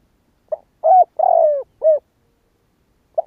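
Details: Spotted dove giving a kích bổi lure call, Vietnam: a short note, then a clear coo, a long rough falling coo and a final short coo, with a lone soft note after a pause, on a silent background.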